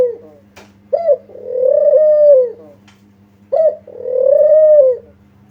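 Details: Lure recording of a spotted dove calling steadily, used to draw replies. Two phrases are heard, each a brief abrupt note followed by a long, smooth coo that swells and then falls away. A faint electrical hum runs throughout.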